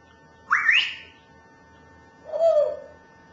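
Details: Grey parrot whistling the melody of "Tulpen uit Amsterdam", mimicking the song: a rising, bending whistle near the start, a pause, then a lower sliding whistled note, with a steady faint hum behind.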